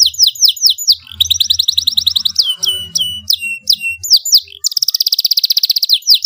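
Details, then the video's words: Domestic canary singing loudly and persistently: strings of high, downward-swept whistled notes and buzzy rapid trills, closing with a long, even, rolling trill of fast repeated notes. "kenari GACOR suara LANTANG"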